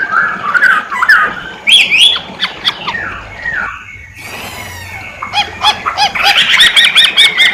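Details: Masked laughingthrush (poksay hongkong) singing gacor-style, with bright slurred whistles and sharp squawky notes. There is a brief hiss-filled lull midway, then a fast burst of clipped repeated chirps.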